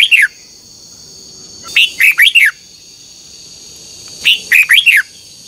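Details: Morning contest singing from a red-whiskered bulbul, played to excite other birds into song. Three separate phrases come at spaced intervals, each of about four clear falling whistled notes, over a constant faint high-pitched hum.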